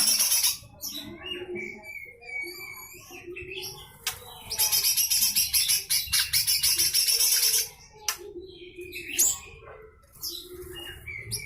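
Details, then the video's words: Lesser green leafbird (cucak hijau mini) giving its full rough rapid 'besetan kasar' song, meant as tutor material for magpie-robins and shamas: clear whistled notes broken by long dense harsh scratchy bursts of fast repeated notes. "Full besetan kasar suara cucak hijau mini"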